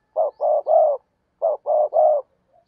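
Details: Decoy spotted dove used to draw in wild doves, giving two matching cooing phrases, each a short low note followed by two longer, hollow, mellow coos, separated by a half-second gap, in otherwise quiet surroundings.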